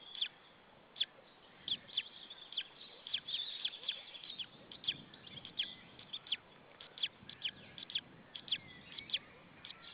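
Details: Afternoon of 26 April 2013 at a white-tailed eagle nest in Estonia: the chick, left alone by a parent, gives spaced high piping chirps, each dropping quickly in pitch, sometimes doubled, over a soft background hiss.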